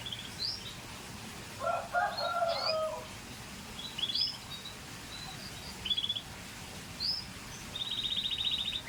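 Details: Scotch Fancy canary giving scattered high chirps and short upswept notes, with a lower chattering burst early on, and finishing with a rapid, buzzy trill of evenly repeated notes.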